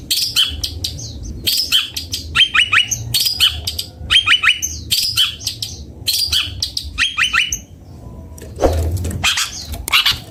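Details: Long-tailed shrike (cendet bondol) singing clusters of sharp chirps and short whistled notes in repeated bursts, with a brief louder rustling noise near the end.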